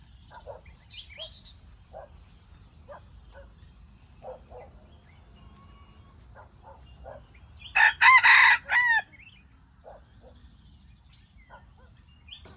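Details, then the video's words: Junglefowl crow played to lure wild chickens into traps: after faint scattered chirps from small birds, a single loud, harsh, broken crow of several segments bursts out near the end, lasting just over a second, then quiet. "Wild chicken traps are fascinated by the sound of chickens crowing."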